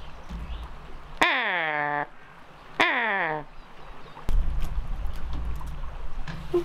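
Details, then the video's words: Captive female raven, alone in her aviary on hidden camera, mimics a Harris's hawk: two harsh, rich, downward-sliding screams about 1.5 seconds apart, followed by rustling and splashy noise. "I love how she mimics a Harris's Hawk's call, then immediately after makes a noise that sounds like she's mocking the call."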